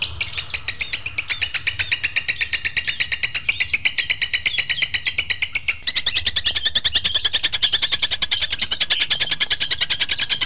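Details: Long-tailed shrike (cendet) in a masteran recording used to train birds to sing readily: a fast, evenly spaced train of sharp high ticks and chips, about two per second, with a brief break midway. The background is quiet.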